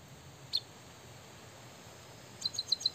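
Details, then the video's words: A White-headed munia gives one high chirp, then a quick run of about six thin, high notes, said to copy a canary's song, over faint background hiss. "emprit kaji gacor isian suara kenari"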